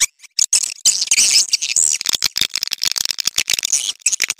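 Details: Mating call of a swiftlet: a brief gap, then a busy stream of thin, high chirps and rattling twitters in quick succession.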